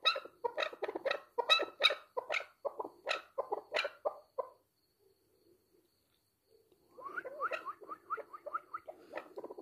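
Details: Chukar partridge: a burst of loud, harsh clucking notes lasting about four seconds, a near-silent gap, then softer, fast repeated chuck notes resuming.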